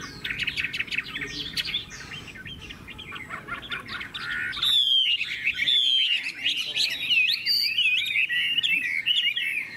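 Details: Chinese hwamei, described as a strong, loud singer with a fine voice, giving a faint jumble of notes at first, then from about five seconds a loud, continuous run of rich, rapid whistled phrases with slurred up-and-down notes.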